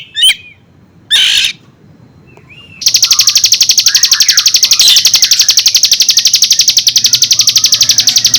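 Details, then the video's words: Bar-winged prinia song, spliced together with Oriental magpie-robin sounds, offered for stirring up untrained birds: a few brief chirps and short whistles, then a loud, rapid, steady pulsed rattle of about four beats per second that runs to the end. "SUARA BURUNG CIBLEK GUNUNG DI SAMBUNG SUARA KACER,cocok untuk menggoda burung bahan"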